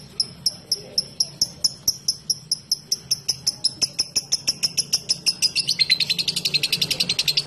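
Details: Lovebird giving its 'ngetik ngekek' sound, a long chatter used to provoke other lovebirds to join in. Sharp high ticks come about four per second, then quicken into a dense, continuous chatter near the end, over a faint low hum.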